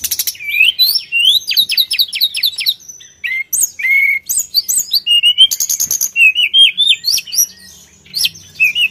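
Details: Vigorous Sulingan song: series of quick upward-flicked whistles repeated in rhythm, broken by harsh buzzy bursts, with warbled looping notes near the end.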